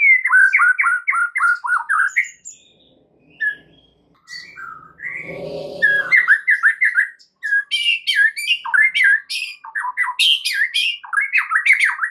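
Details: White-rumped shama song used as a lure to draw other shamas into singing: loud rich whistled phrases, rapid falling notes repeated in runs, sharp high chips and buzzy squawks, with a brief rough noise midway.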